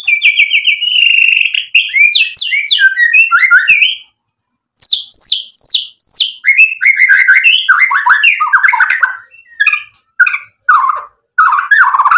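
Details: Singing white-rumped shama, its loud varied song intended to provoke rival birds into answering: dense runs of whistled slurs and rapid chattering notes, a brief pause, then more fast phrases with short gaps.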